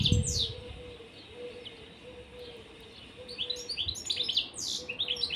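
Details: Caged European serin pair: quick high sliding chirps open, then a run of fast glittering, wheezy trills near the end over a soft, low, pulsing hum.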